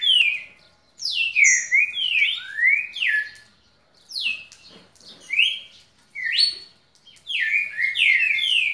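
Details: Caged pet red-cowled cardinal singing non-stop for over a minute: loud whistled phrases of rising and falling slurred notes, grouped in bursts about a second long with short pauses between.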